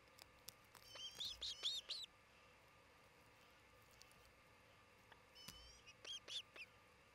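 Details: Osprey on its nest in Charlo, Montana, around midday on 27 June 2018; two short bursts of three or four thin, whistled chirps separated by a quiet gap, with steady background hiss.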